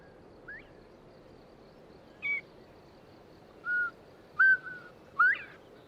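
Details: A male Northern Bobwhite calling for a mate across quiet countryside gives clear, mid-pitched whistled notes, some slurred and rising sharply at the end, spaced about a second apart over a soft rushing background hiss.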